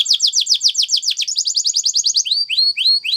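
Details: A Spanish Timbrado canary sings a training song of quick descending chips, roughly seven a second. These shift to a tighter series, then end in a few sweeping rising whistles over a thin steady tone.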